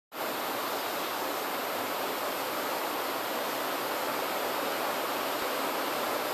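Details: After a moment of silence, an even rushing hiss starts and continues to the end, with no animal voices.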